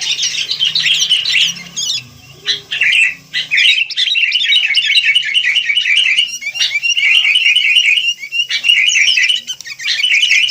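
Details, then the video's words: Wild sooty-headed bulbul giving a busy song of quick chirps and trilled bubbling notes, steady after the first few seconds, with sharp clicks mixed in. "Rame Kicau Burung Kutilang"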